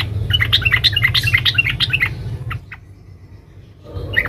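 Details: Female yellow-vented bulbul calling for a male: a fast, tightly packed chatter of bright up-and-down notes for about two and a half seconds, a quiet pause, then one more note.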